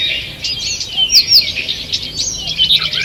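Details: Birds singing in a forest one morning, 2 June 2023. A soft background of twittering carries a few clear, sharp whistled notes rising above it near the middle and the end.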